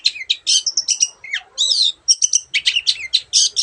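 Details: Cendet, the long-tailed shrike, singing 'gacor' with many borrowed bird voices: dense scratchy bursts and high whistles run together almost without gaps, one falling slurred note midway.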